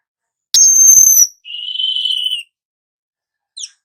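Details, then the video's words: Piercing high whistle followed by a lower, steady buzzy note from a young weaver whose rolling song is used as a training lure for other birds; a faint chip ends the phrase. "Burung manyar muda AKTIF NGEROL pancingan segala jenis burung"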